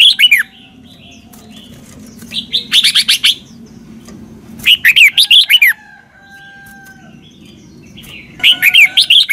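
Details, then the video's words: Red-whiskered bulbul singing the Thai doubled style, played for young birds to copy: four bursts of rapid, swooping whistled notes, with a low steady hum and a thin held tone between phrases. "เสียงนกกรงหัวจุก เบิ้ล แม่บทใต้ เพลง พยางค์ เสียงชัด ก๊อปติดง่าย"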